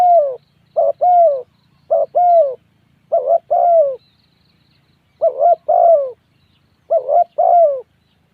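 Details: Spotted dove giving low, mellow cooing phrases, each pairing short coos with a longer note that slides downward, repeated in six bursts with brief pauses; quiet background with a faint low hum.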